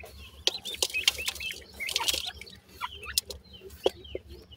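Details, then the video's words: Grey francolin chicks, Indian birds, give high curved peeps amid frequent rustling, scratching and clicking noises, with a faint low hum. "grey pheasants chicks sweet awaz,indian gora teetar chicks"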